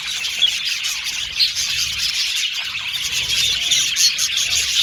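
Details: Budgies, said to be happy Australian pet birds, keep up a continuous high chattering chorus of overlapping chirps and warbling trills, with a few louder sharp notes standing out.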